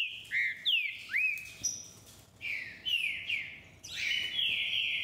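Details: Singing green-winged saltator gives a fast run of bright whistled notes, some rising and others sliding down, linked into a lively phrase over faint background hiss.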